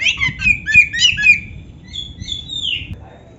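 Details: Oriental magpie-robin singing with canary phrases. Scratchy, squawking notes pulse rapidly for over a second, followed by softer, thin whistles and a longer falling whistle that fades out.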